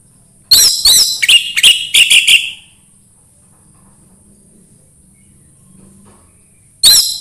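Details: Orange-headed thrush song meant to stimulate another bird to sing: about eight sharp, rapid high notes in under two seconds, silence, then one more loud note.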